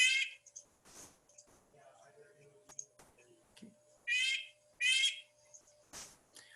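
Red-breasted Nuthatch giving loud, nasal, tinny 'yank' notes, three short calls spaced a few seconds apart, with faint speech and clicks in between.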